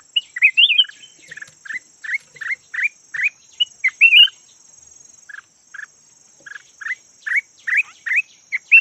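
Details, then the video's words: Red-whiskered bulbul, yellow variety kept as a decoy, giving a quick series of short clipped notes, about two per second, with occasional warbled phrases and a high steady hum behind. "Suab nooog diab daj quạj cuab los zoo heev chim chào mào vàng chim mồi"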